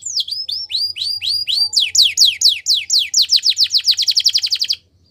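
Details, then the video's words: Belgian canary singing for training: a series of slurred descending whistles, about four per second, speeding into a rapid rolling trill that stops abruptly near the end. "The best canary training | Belgian canary"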